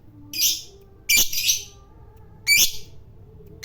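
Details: Lovebird of the fighter type calling to stir up a rival: harsh, shrill squeaky bursts with brief rising whistled tips, coming about once a second, with a faint low hum behind.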